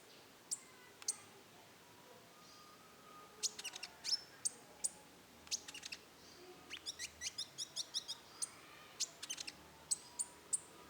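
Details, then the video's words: Rufous-tailed shama in roll tembak song. Isolated sharp high ticks alternate with quick rattling bursts of clicks, and a dense run of rapid clicks falls in the middle. The sound is fairly faint against a quiet hiss. "suara burung konin roll tembak"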